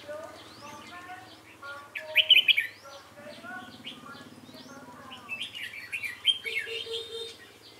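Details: Caged red-whiskered bulbul singing a competition song, bright whistled phrases in short bursts with a loud chattering flourish midway, over a background of many other birds calling and low hum.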